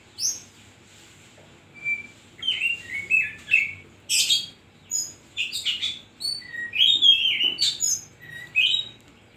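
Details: Oriental magpie-robin, locally kacer, singing freely with 'isian koslet' filling: separate clear whistles, some rising and some falling, mixed with short harsh rasps, each phrase set apart by short silences on a quiet background.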